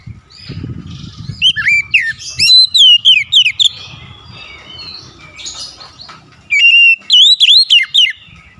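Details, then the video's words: A varied, loud oriental magpie-robin song of swooping whistles and sharp bent notes, with scratchy twitters in between. A later phrase returns with ringing, rapidly repeated whistles. A low rumble is heard at the start. "DENGAN CEPAT NYAUT BALAS GACOR SEKALI MENDENGAR OCEHAN KACER INI"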